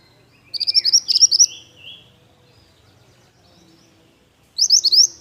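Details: Lively pied bush chat song: a longer opening run of about eight quick rising whistled notes, then a faint pause and a second short burst of four upswept notes.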